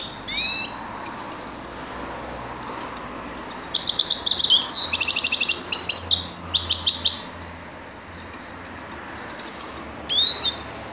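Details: Thin rising call notes open, then a grey-crowned goldfinch sings nearly four seconds of rapid repeated buzzy trills and twitters, followed by silence and another short rising call.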